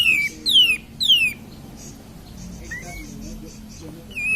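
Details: Lure song of a cream-vented bulbul, played to rouse other birds: three clear downward-sliding whistles in a quick run, a soft series of pulsed notes, then another falling whistle at the end, with steady low hum beneath.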